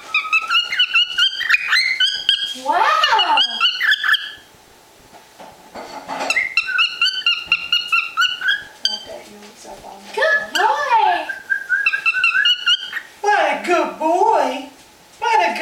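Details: Pet male cockatiel, unusually excited: bright, whistled chirping bursts with rising and falling notes and quick downward sweeps.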